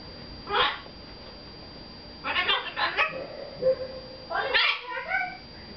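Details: Pet red-fronted macaw chattering indoors to its owners, with three bursts of raspy, parrot-like syllables spread across the clip, each short and harsh, separated by quiet room noise.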